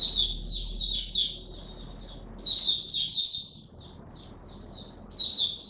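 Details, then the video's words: White-eye song: rapid, high twittering phrases in bursts of about two seconds, sweet and slurred, with brief pauses between bursts. "Mata Puteh Buka Sing"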